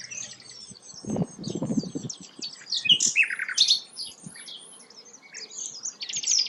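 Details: Rare sikatan londo flycatcher giving high, jumbled chattering and whistled phrases, with dull low thumps and knocks from handling noise early on.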